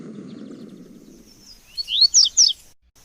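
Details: Double-collared seedeaters, males and females, singing free in the wild, recorded on an A30s mobile phone: three bright, high, quick notes, each slurred upward, given in close succession after a stretch of low rumbling background noise.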